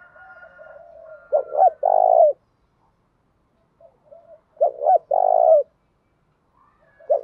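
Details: Large spotted dove, pigeon-sized, cooing in a fight-provoking bout in the thổ voice style. Two loud phrases, each a short double note then a long burring coo, with soft low murmured coos between them.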